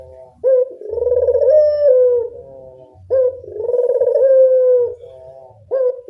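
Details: Local spotted dove lure call, a hollow, wavering coo starting with a clipped note and swelling into a long tone that bends up then falls, repeated every two to three seconds.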